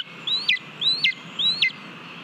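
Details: Lesser spotted eagle feeding on a mole at its nest in Latvia, 18 July 2022, seen on a live cam. Three loud whistled notes climb smoothly, then fall abruptly, evenly spaced about every 0.6 seconds, over faint background hiss.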